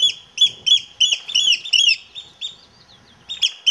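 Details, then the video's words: Eurasian oystercatcher calling in quick, shrill piping notes, several per second, each a sharp down-slurred 'kleep' with strong overtones. A brief pause comes near the end before the calling resumes. "Кулик сорока"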